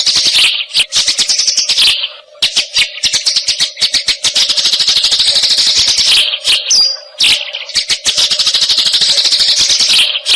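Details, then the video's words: Eurasian tree sparrow chattering, played to teach songbirds; extended dense, high-pitched chirp trains last several seconds each, broken by two brief pauses, with a low background hum throughout. "Suara Greja Taraung kualitas HD"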